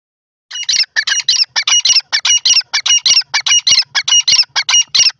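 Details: Grey francolin, known locally as dakhni teetar, giving a loud, harsh, rapidly repeated series of squawking notes, about one or two each second, in steady clusters without pause; no other sounds.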